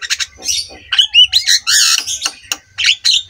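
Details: Brief burst of Javan myna master song meant to set silent mynas singing: buzzy rasping notes, a clear upslurred whistle, then a long grating squawk and clipped chatter.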